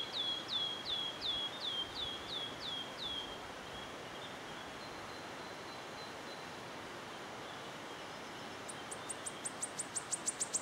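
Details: Wood warbler in Yarner Wood, Devon, giving a run of about seven plaintive, falling whistled notes, then a quiet pause, then very high stuttering notes that begin to quicken toward a trill; soft background hiss.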